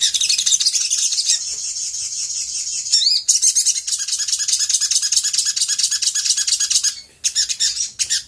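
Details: Sooty-headed bulbul lure recording for provoking other birds to respond, an unbroken shrill twittering, then fast rhythmic chattering notes repeated rapidly for several seconds.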